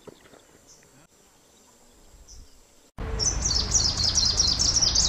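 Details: Greenish warbler (Phylloscopus trochiloides) song bursting in after three seconds of quiet hiss: a loud, fast, sibilant run of very high, thin, slurred notes, tumbling on rapidly for about two seconds.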